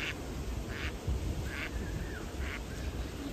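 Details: Pond duck giving four soft, nasal quacks spaced under a second apart, partly buried beneath loud low rumbling background noise.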